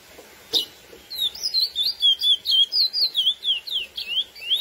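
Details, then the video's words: Lesser seed finch (Sporophila angolensis) giving its classic song style used to excite females: after one sharp high note, a rapid run of clear whistled slurred notes around the upper-middle range, about two per second, rising and falling in a wavy line. "CURIÓ CANTO CLASSÍCO FOGUEAR FÊMEAS"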